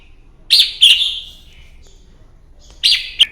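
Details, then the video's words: Fighting song of a red-whiskered bulbul in the morning, used to train a bird: two loud, buzzy chirped phrases close together, a gap, then another punchy phrase. "luyện giọng chào mào hót đấu buổi sáng"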